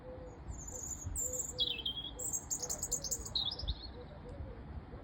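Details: Robin singing from a high perch: a series of varied, thin, high warbled phrases, some sliding downward, others trilled and sparkling, with brief pauses between them; soft lower hooting notes repeat faintly beneath.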